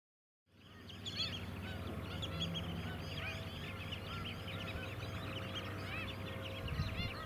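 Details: White-headed Stilt flock on mudflats at Scarborough, Queensland, in July 2017: after a brief silent start, a dense overlapping chorus of short, yapping, arched calls, with a steady low engine hum beneath.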